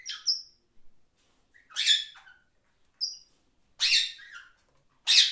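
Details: Parakeets chirping: short bright chirps and harsher squawks come in scattered bursts about a second apart, with quiet gaps between them.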